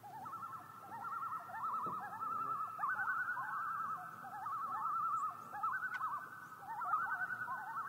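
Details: Common loon on Yellowstone Lake giving tremolo calls: rapid, quavering, laugh-like notes held at a steady mid pitch, in several overlapping series that swell and fade through about eight seconds, with no other clear sounds.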